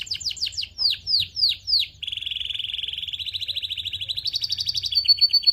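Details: Canary stimulant song: about a dozen descending whistled notes, then a steady fast rolling trill that shifts higher and ends in louder pulsed phrases, clean and bright.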